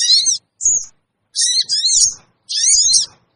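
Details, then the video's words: Sogon lure call, sooty-headed bulbul, used to gather wild birds: piercing rasping screeches in separate bursts, including a short whistled note, with clear pauses between. "suara pikat burung kecil sogon bikin sogon liar cepat ngumpul"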